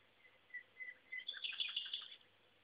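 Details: Afternoon song of a common nightingale by Szentsimon, captured on a phone while cycling: several evenly spaced clear notes lead into a dense, rapid, buzzy trill of tinkling notes lasting nearly a second, then stopping.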